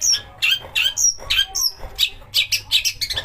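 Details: Long-tailed shrike song as a singing lure, full of rough bursts. Harsh, scratchy notes about three per second mix with high piercing whistles and short squeaks, uneven in rhythm.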